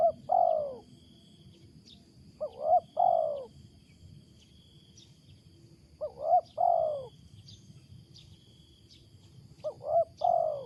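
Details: Wild spotted dove giving its loud, unusual coo: phrases of a quick double note then a longer slurred coo, repeated about every three to four seconds, with insects droning softly.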